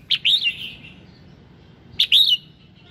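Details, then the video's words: Morning singing of a red-whiskered bulbul, used to spur other birds into song: two short, rich warbled phrases about two seconds apart, each opening with a sharp note and trailing into a softer slur. "Tiếng Kích Giọng Chào Mào Hót Sáng"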